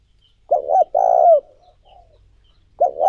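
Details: Spotted dove lure call for training decoys: one full phrase, a quick double coo then a long purring croo trailing off softly, with the next phrase just beginning at the end.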